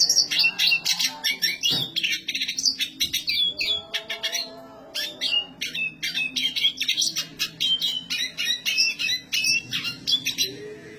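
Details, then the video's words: Continuous high-pitched black siskin song: fast strings of sharp chirps, thin whistles and buzzy twitters with barely a pause, a short lull around four seconds, then renewed rapid chattering to the end. "black siskin gacor suara tinggi!"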